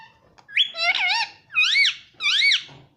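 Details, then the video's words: A pet parrot mimics the word "mummy" in three shrill, nasal, squeaky syllables under a second apart, with a rising-and-falling, speech-like tone, in an otherwise quiet room. "Talking parrot || talking parrot mummy papa || bolne wala tota"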